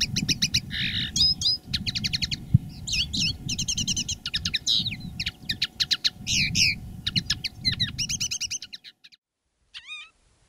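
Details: Two caged common linnet decoy birds singing live in different styles: continuous rapid twittering with buzzy trills, fast repeated clicks and upslurred whistles, ending abruptly, a single thin call after, with low rumbling background noise.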